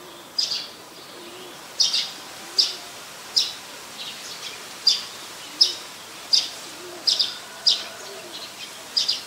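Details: Recorded in Ubon Ratchathani, Thailand, on 4 February 2020, a Streak-eared Bulbul repeats crisp, high single chirps roughly every second, sometimes with a quick second note, over steady low hiss.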